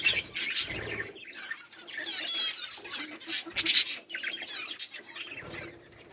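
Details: Budgerigars keep up buzzy, warbling chatter with sharp chirps and a few wing flutters.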